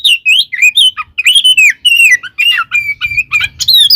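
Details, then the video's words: Oriental magpie-robin (kacer) singing its provoking fight song: loud, well-spaced slurred whistles and sweeping notes, some falling, delivered steadily with short gaps, rich and musical. "SUARA BURUNG kacer gacor TARUNG KONSLET full isian ini AMPUH buat PANCINGAN KACER agar EMOSI"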